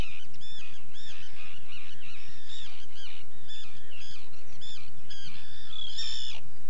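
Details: Common tern recorded in the field in the UK: grating, downslurred calls come in irregular bursts, several birds overlapping, with sharper, higher notes near the end over a low steady rumble.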